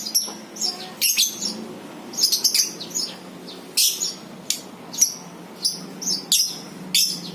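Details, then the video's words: Lovebird calls used as a lure to set other lovebirds chattering in the ngekek style: sharp, shrill, high chirps in quick bursts, repeated about once or twice a second, over a low steady hum. "PANCINGAN 100% NGEKEK BURUNG LOVEBIRD!! AUTO NGEKEK"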